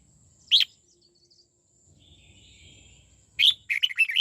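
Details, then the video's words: Caged red-whiskered bulbul being trained in the twisting '89' song style: a sharp high chirp, a pause with faint background hiss, then a quick burst of bright, warbled notes near the end. "chào mào hót giọng 89 xoắn tít"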